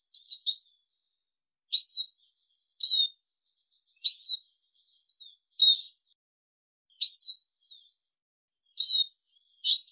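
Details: Arabian babbler calls for training and hunting: sharp high chirps with falling whistled tails, delivered in ragged pairs and singles roughly every second over ten seconds, clean background.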